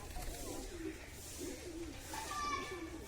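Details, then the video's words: A domestic male pigeon gives low, soft, throaty coos in repeated pulses beside a newly arrived pigeon, calling to court it. This happens on a foggy, dim winter morning before the sun is fully up, with a man talking over it. "তার পাশে খুবই ডাকাডাকি করছে আমাদের কবুতরটা।"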